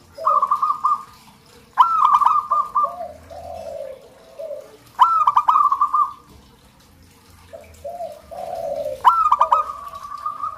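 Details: Song of a local zebra dove. Sharp onsets lead into rapid pulsed cooing trills, repeated about every three and a half seconds. Mellow lower coos fill the gaps between phrases.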